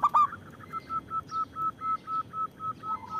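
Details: Local zebra dove, a lure and provoker for other doves: one loud throaty coo followed by a steady series of about eleven short, even notes, evenly spaced.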